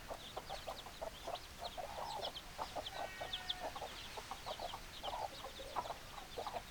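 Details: Chickens, hens with roosters, producing rapid clustered clucks and brief rougher squawks, high thin peeps running continuously in the background.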